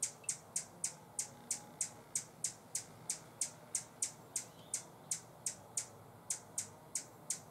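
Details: Buff-bellied hummingbird defending a feeder in San Benito, Texas, October 2014, repeating thin high chip notes roughly three per second with a brief break near the end, above soft background noise.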